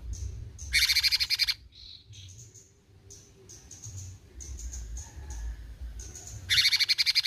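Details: Cucak cungkok bulbul in besetan mode: a loud buzzy pulsed burst, a short nasal note, scattered thin high whistles, then another fast rattling burst at the end.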